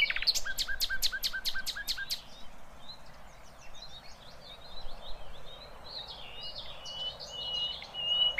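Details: Flycatcher (sikatan londo) opening with a loud regular rattle of sharp high chips for about two seconds, followed by softer scattered twitters and whistles; rough 'tembakan kasar' song meant for tutoring songbirds, with low background rumble.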